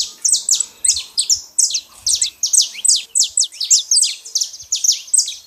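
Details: Saffron finch singing in the wild: bright, high, slurred chips in quick pairs and clusters, repeated at a lively, fairly even pace over quiet surroundings.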